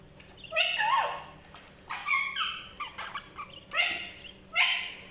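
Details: Budgerigars chirping in a burst of overlapping warbled, buzzy notes in bouts about a second apart, with quieter gaps between and a faint steady background hum.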